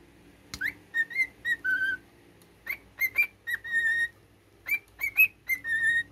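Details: A cockatiel kept as a pet pipes a learned military tune: sharp upward whistles, short steps and long flat notes in three repeated phrases, with a quiet room background.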